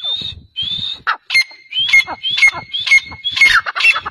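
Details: Sindhi black francolin described as beautiful and fast, calling in loud repeated harsh phrases, each opening with a short rising whistle and dropping into rasping, stuttering notes, about two phrases a second.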